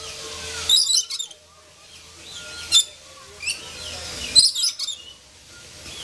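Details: Lorikeets fooling around at the Columbus, Ohio zoo on 16 October 2014 give harsh, high screeches and chattering squawks in irregular bursts, several close together, with a low background murmur.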